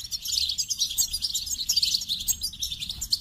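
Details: Steady, dense goldfinch twittering: high, tinkling, buzzy notes run together without a break for the whole stretch.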